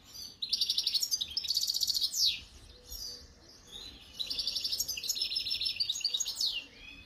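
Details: European goldfinch, khalwi type, singing in 2022: two long bouts of rapid tinkling, metallic twitters and trills, each ending in a descending slurred note, separated by a brief pause.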